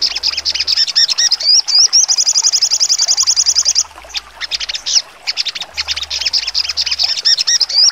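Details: Crimson Sunbird (sogon) in full trotol song style with sharp shooting notes: rapid high buzzy trills of evenly repeated notes around two seconds long, alternating with quick varied chips and twittering phrases, a wavering whistle in between.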